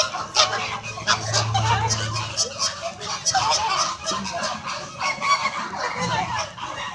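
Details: A noisy group of flamingos calls back and forth: rapid, overlapping nasal squawks and honks form an unbroken din, with sharp louder calls scattered throughout.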